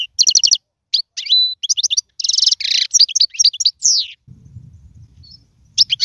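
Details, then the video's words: Goldfinch song used for tutoring young birds: bright repeated trills, a clear whistled note, then a buzzy burst and chatter, followed by a low rumbling noise and a final twitter. "اسمع المقنين واعطي رايك فيه,افضل تغريد لتعليم الفراخ"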